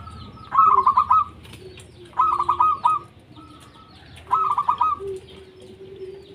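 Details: Local Indonesian zebra dove, song meant to prompt lazy doves into singing: three short bursts of rapid, bubbling coos about every two seconds, with a soft low steady note from another bird underneath.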